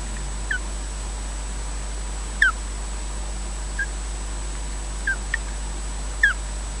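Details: Osprey chirping at a Scottish nest at Loch Garten during changeover between the pair: five or six short downward-sliding whistles spaced one to two seconds apart, with steady electrical hum beneath.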